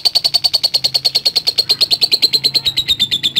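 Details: Lovebird ngekek trill, a long continuous run of rapid high pulses, roughly nine per second, sliding gently lower in pitch toward the end, with a faint low hum beneath.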